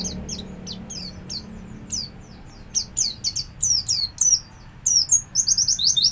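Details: Javan white-eye song used as a lure to teach other white-eyes to sing: high, thin sweeping notes, scattered at first, then a fast tumbling run of bright twittering phrases, with faint low hum behind.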